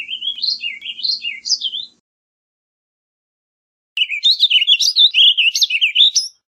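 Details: Warbling vireo, a small North American songbird of open deciduous and mixed woods, singing two rapid warbled phrases of looping, up-and-down notes, separated by a two-second pause.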